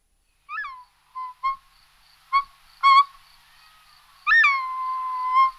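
Short-toed snake eagle giving clear, plaintive whistles, several short falling notes, then one long drawn-out whistle, over a faint steady high buzz.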